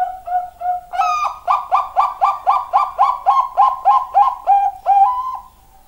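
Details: Zebra dove with a loud, ringing voice: a few soft opening notes, then a rhythmic string of about fifteen clear, bouncing coos, evenly spaced about a third of a second apart, ending in a drawn-out final note.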